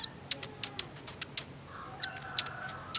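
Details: Female sunbird (kolibri ninja) calling, used as a lure to get males singing: sharp, very high ticking chips scattered irregularly over three seconds, with a soft whistled note near the end.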